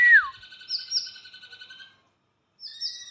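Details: White-rumped shama singing: a sharp falling whistle opens into a sustained, evenly pulsed warbling phrase lasting about two seconds. After a brief silence, a second high, clear phrase begins. No other sounds are heard.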